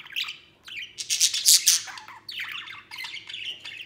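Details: Happy pet budgerigar, white male, out of the cage at play: a quick chirp, then a loud burst of harsh squawks, followed by softer, wavering warbled chatter.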